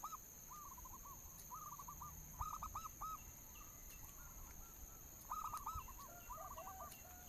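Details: Local zebra dove cooing, played as a lure to get caged birds singing: several rapid series of short, rounded coo notes overlap at two pitches, rising and falling in bursts, over a steady high-pitched whine and low rumble.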